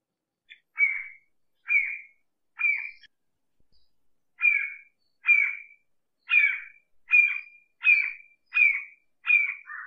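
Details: Red-shouldered hawk nearby, giving a series of short, sharp, slightly buzzy notes, a few spaced out at first, then a quicker run of about eight after a brief pause.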